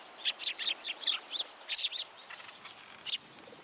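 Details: A group of sparrows arriving for food at a shrine pillar, Tenman-gu, 27 January 2023; a quick burst of sharp, high chirps for two seconds, then quieter scattered notes and one last loud chirp.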